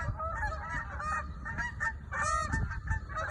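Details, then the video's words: Flock of geese honking loudly while flying in New Jersey; a steady clamour of overlapping nasal, slightly wavering honks from several birds, with strong low rumbling background noise throughout. "New Jersey Geese Flying And Honking Loud Sounds"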